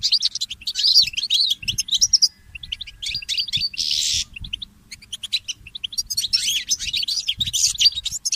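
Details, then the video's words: Goldfinch mule, a goldfinch hybrid, singing in the early morning: rapid twittering run of high chirps and trills, briefly pausing near the middle, then resuming in dense bursts with a low background rumble. "The inspiring Motif of the Mule Goldfinch and the Birds"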